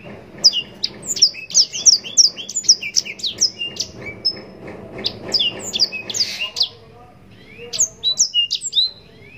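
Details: Captive-bred yellow-rumped serin in long non-stop song, a busy stream of sharp high chirps and slurred whistles, briefly easing off midway, then bursting back into quick repeated phrases.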